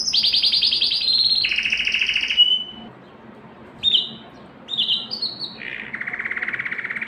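A canary sings high, fast rolling trills, each held a second or two before switching to a new pitch, with short sharp notes between.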